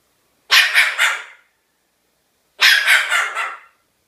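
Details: Two gritty barks from a pet cockatoo imitating a dog, about two seconds apart, each breaking into three quick hoarse pulses.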